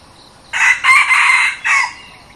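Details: One crow from a new decoy junglefowl used to attract wild junglefowl: harsh, rasping syllables run together into a long middle note, followed after a brief gap by a short drooping closing note.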